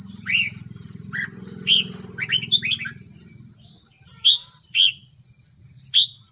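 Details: Red-whiskered bulbul singing in a recording for training caged birds. Crisp, looping whistled notes and a quick phrase are heard over a low buzzing drone that fades midway, with constant hiss.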